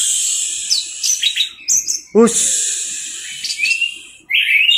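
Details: Orange-headed thrush in 'teler' masteran song: thin, high warbled phrases and short upward-slurred notes, interrupted by a brief human voice sound in the middle.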